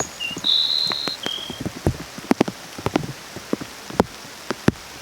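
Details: Grassland Sparrow singing in rain: one brief, thin, high whistled phrase of three notes with a longer, steady middle note, followed by scattered raindrops pattering and tapping on surfaces.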